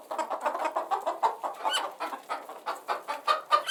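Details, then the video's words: Chickens clucking in a steady stream of short, overlapping notes, several birds calling at once with soft, rapid pulses and a few higher squawks near the end. "Relaxing Background Sounds of Chickens"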